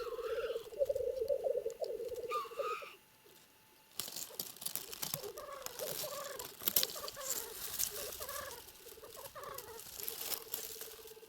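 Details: Black grouse cocks battling at their lek in the Trans-Urals: bubbling cooing with two hissing sneezes, then loud rustling, flapping scuffle noise over ongoing bubbling, which ends alone and steady.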